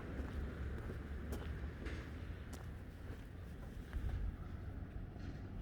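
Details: Steady low vehicle rumble with wind buffeting the microphone on an outdoor walk, and no animal calls.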